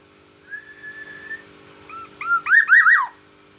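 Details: Black-naped oriole from Aceh in the morning: a long, steady, clear whistle, a pause, then short rising notes leading into a loud, wavering, zigzag fluty phrase.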